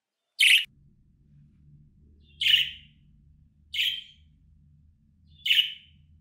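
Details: Budgerigar calls played so an escaped bird responds and flies back: four short, harsh chirps at uneven intervals over a steady low hum.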